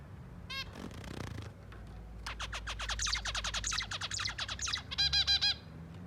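A zebra finch sings a rapid series of buzzy, nasal notes, ending in a few bright honking calls.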